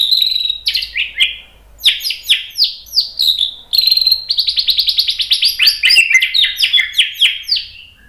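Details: White-rumped shama song for training: continuous high-pitched varied phrases, sharp downslurred notes and rapid chattering trills lasting throughout, loud and clear without background noise.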